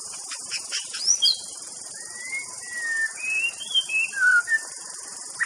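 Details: White-rumped shama singing clear, drawn-out whistled notes that step up and down in pitch, some sliding, with a continuous insect drone behind.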